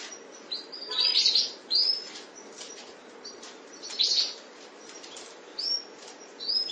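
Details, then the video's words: Breeding pair of canaries: scattered high, bright chirps and short sweeping phrases, some clustered around one and four seconds, over a constant hissing background. "Kicau Burung Mania Burung Kenari Sepasang Ternak"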